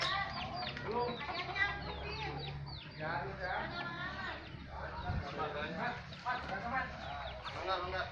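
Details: Ayam Ketawa chicken crowing in a long run of rapid, laughing, stuttering notes rising and falling, repeated through the clip, with steady low background hum.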